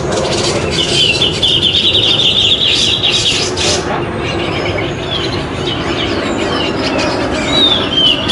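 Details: Contest-winning grey-cheeked bulbul at a community bird competition, 27 September 2020, pours out about three seconds of dense high trilling, then falls quiet; only scattered short chirps follow over steady crowd and background rumble.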